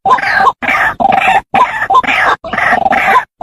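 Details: White-breasted Waterhen (Amaurornis phoenicurus) gives loud, harsh, croaking grunts in bursts of about half a second, repeated with short pauses, some with brief squeaky overtones; a recording used as a lure call.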